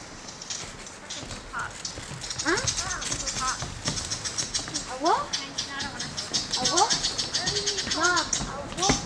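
A lyrebird gives a varied run of arching whistled notes, rising and falling every second or so, over a steady crackle of high clicks and rattles.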